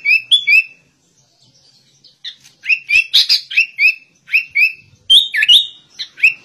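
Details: Sooty-headed bulbul singing like a white-rumped shama: a brief whistled opening, a quiet pause, then lively varied whistles and buzzy notes, including rising and falling slurs, delivered in quick short groups.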